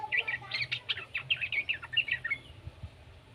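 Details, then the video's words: Young yellow-vented bulbul's chatter, meant to prompt other bulbuls to sing: around fifteen quick, scratchy chirps in a hurried string, dying away after two and a half seconds into faint background hiss. "suara burung trucukan muda"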